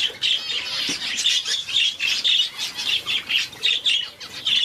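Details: Two one-day-old Society finch chicks being hand-fed without a syringe, weak and struggling to open their mouths. They give high, thin squeaky cheeps in rapid uneven bursts, steady and dense for the whole stretch.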